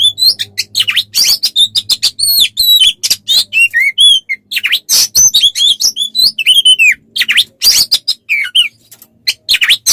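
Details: Oriental magpie-robin song as a tutor recording for songbirds, a fast continuous mix of harsh chips, buzzes and whistled slurs, over a faint low hum.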